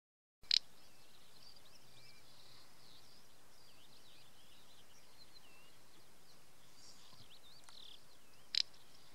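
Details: An adult male little bustard gives two short, dry snorting bursts about eight seconds apart in dryland farmland in La Rioja, Spain, in June 2014; faint high twittering from other birds underneath.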